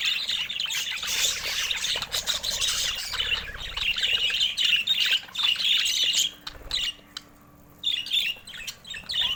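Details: Budgerigars keep up rapid, twittering chatter of bright chirps and warbles for about six seconds, then it drops to near silence before a short burst of chirping returns.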